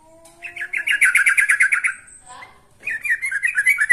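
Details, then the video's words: A yellow-vented bulbul in full song, calling to a rival: a fast, bubbly burst of about a dozen quick chattering notes, a brief pause, then another liquid run, with faint tones underneath at the start. "Kicau Burung TRUCUKAN GACOR Manggil Lawan"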